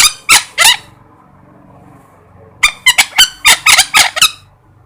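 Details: Parrot giving two harsh squawks, then a pause of nearly two seconds before a fast, ragged run of about nine scratchy calls; the background is quiet apart from a faint low hum.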